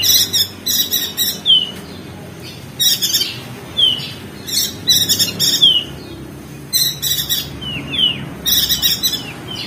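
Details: Crested white-eye from Lombok, West Nusa Tenggara, in a training recording to stimulate silent birds: clusters of harsh, scratchy high chips, each group ending in a thin downslurred whistle, repeated every second or two.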